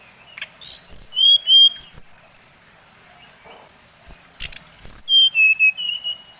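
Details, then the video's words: Brown-chested jungle flycatcher song used to excite other birds of the species: two phrases of clear descending whistles, each dropping in steps from high to middle pitch, with a few clicks between. "Suara SRDC Bali Paling di sukai srdc lain | Pancingan Srdc bikin srdc lain naik emosi"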